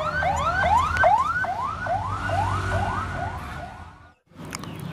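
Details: A siren wails in rapid repeated rising sweeps over traffic rumble, then cuts out abruptly near the end.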